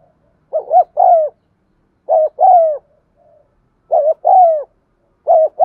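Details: Spotted dove coo for encouraging birds that will not coo: four repeated phrases about every one and a half seconds, each a quick double note then a drawn-out descending coo, in a quiet background.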